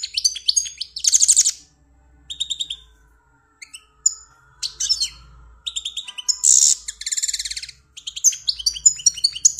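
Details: Goldfinch from Algeria delivering a lively song of rapid twittered phrases, buzzy trills and sharp chirps, broken by short pauses; a faint low hum underneath.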